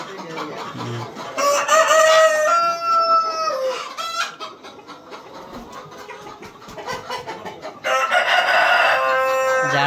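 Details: Super hybrid laying hens on a poultry farm, where laying boxes fill with eggs. Loud, harsh, harmonic squawks rise and fall in two bursts, with quieter clucking and shuffling between them.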